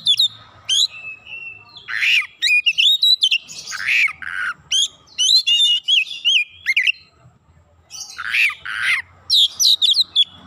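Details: Oriental magpie-robin delivering full gacor song used as a lure, unloading varied isian phrases: dense clusters of sharp chips, harsh buzzy bursts and sweet warbled whistles, pausing briefly before another excited volley.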